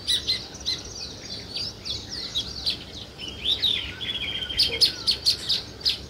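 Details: Sparrow chirping with weaver birds building a nest: steady, soft, overlapping high chirps at an uneven quick pace, with sharper notes clustering near the end.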